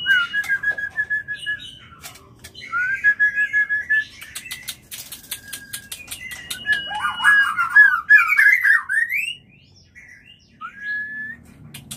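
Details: Mating song of a White-rumped shama, used to stimulate breeding: fluid whistled warbles and trills mixed with dry clicking bursts over faint low background noise, ending in a rising slurred whistle after a pause.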